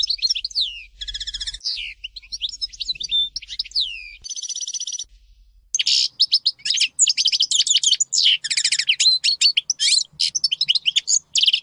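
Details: Caged European goldfinch of the Major type singing a long varied song: sweeping whistles, buzzy trills, a sustained rattling buzz, then dense tumbling twitters, over a faint low hum at first.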